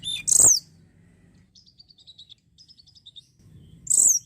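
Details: Sunda robin (tledekan gunung) lure song for attracting other birds: a loud high downslurred whistle, a soft run of quick high ticking notes, then another loud downslurred whistle.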